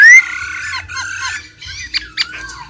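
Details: Wild-caught old laughingthrush singing intensely, female trilling alongside: an opening loud rising whistle, then a sustained tone with slurred notes, followed by scattered short chirps.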